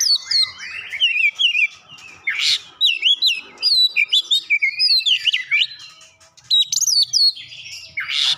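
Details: Oriental magpie-robin song laced with gelatik batu mimicry: a long run of varied whistled slurs, sharp chips and harsher raspy bursts, loud and continuous apart from one brief lull.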